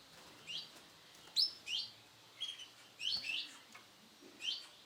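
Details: Sunkist-coloured male canary uttering scattered sharp, high chirps and brief twittery notes with pauses between them, set against a quiet background with a slight low hum.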